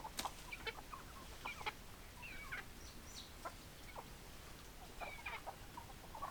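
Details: Sparse chicken calls, with scattered short clucks and thin high squeaky notes spaced across the recording, over a low steady rumble.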